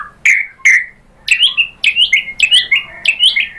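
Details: White-rumped shama singing on a lure recording for provoking a bird to respond: two bright downslurred whistles, then a fast run of rising and falling whistled phrases that grows denser toward the end.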